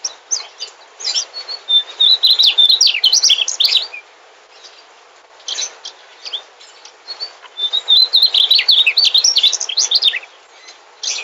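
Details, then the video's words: Migrant mugimaki flycatcher song heard as two long phrases of rapid, high, sweet twittering, each starting with a thin whistled note, separated by a pause with scattered chirps. "Suara Burung Sikatan Mugimaki"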